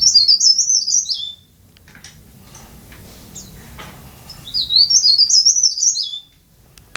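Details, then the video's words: Tame, freely singing leaf warbler delivers two bursts of rapid, high, tinkling twitter, each about a second and a half long and separated by several seconds of quiet background hiss. "Burung Blereng/Tralis/Cikrak Daun/Pare-Pare/Sirlis"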